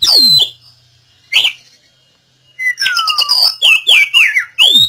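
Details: Oriental magpie-robin singing, used as a lure so that a bird gone quiet starts singing again: a sharp descending whistle, a pause, a short note, then a rapid run of bright, varied slurred whistles and chips.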